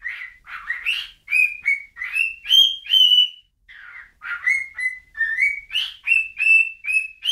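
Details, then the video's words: A bird gives two phrases of bright whistles, with rising, swooping notes followed by level held tones, separated by a short pause. The setting is quiet. "whistling bird"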